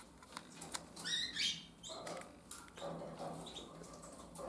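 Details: Twenty-day-old harlequin canary young leaving the nest: a quick burst of thin, high chirps near the middle, then scattered fainter peeps, over rustling and scraping from movement in the nest.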